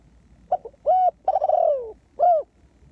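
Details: Spotted dove used as a ground decoy to lure wild doves; a low cooing phrase of short hoots, a long descending rolled coo, then a final hooked hoot.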